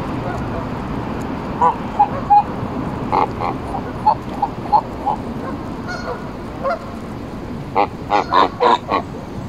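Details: Embden geese being petted and fed at Longton Park, Stoke on Trent, on 18 July 2022; short nasal honks come irregularly, some in quick bursts near the end, over steady background rumble.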